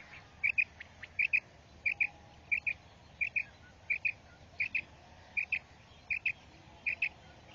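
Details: Female quail (batair) call used in quail hunting: crisp doubled high notes, about ten pairs in under eight seconds at a steady pace, over a constant hiss and low rumbling background noise.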